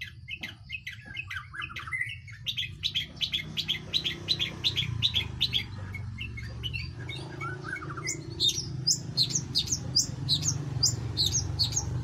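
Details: Long-tailed shrike singing vigorously: rapid, varied high chirps and twittering notes repeated about three times a second, pausing briefly midway, over a steady low background hum.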